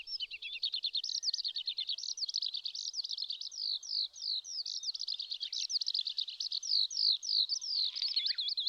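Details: Eurasian skylark, wild, on a Shin'etsu riverbed in Japan in May, pours out a fast run of sharp, high, slurred notes, each swooping downward, repeated about three times a second in a continuous flow.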